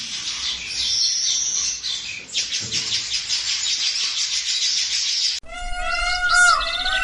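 Weavers chatter in a dense, buzzy, high-pitched stream for about five seconds. A different, louder harmonic call cuts in at the end.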